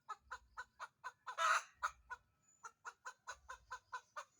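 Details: Chicken about to lay, searching for a place to lay its egg. A fast series of clucks surrounds one loud rasping squawk, and the clucking continues steadily afterwards.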